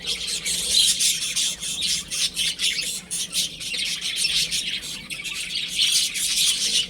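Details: Several chicks playing at home, harsh, insistent high cheeps pouring out densely, some notes more squawky, overlapping with little silence.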